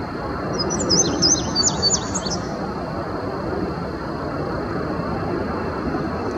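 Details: Wild male indigo bunting singing from the top of a tree in early May 2019, Sandy Bottom Nature Park, Virginia. A short burst of high, paired, slurred notes lasts about two seconds, followed by low rumbling ambient noise.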